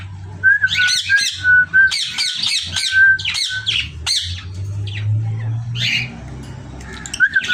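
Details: Pet parrots giving loud, harsh, rapid squawking bursts in clusters, separated by brief pauses, over a faint steady whistled tone and a low rumbling hum.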